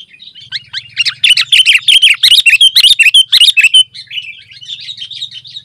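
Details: Sooty-headed bulbul in continuous dense song, meant to draw other bulbuls and tutor caged ones; a steady stream of rapid warbled, chirping notes with a faint low hum underneath.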